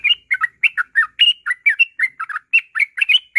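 A Yellow-vented Bulbul chatters nonstop, about a dozen bubbly, mid-pitched notes in under four seconds, each rising and falling quickly. No other sounds intrude.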